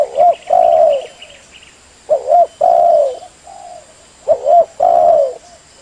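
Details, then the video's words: Spotted dove cooing as a trapping lure: three phrases of a double coo then a long falling coo, with a soft single coo between; faint high chirps from another bird at the start. "Suara pikat burung tekukur"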